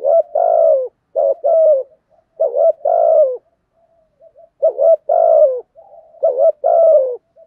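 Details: Spotted dove in the thổ voice style, giving continuous thúc gù cooing meant to provoke young birds: three clear phrases, each a short double note then a longer coo sliding down, with a pause between phrases.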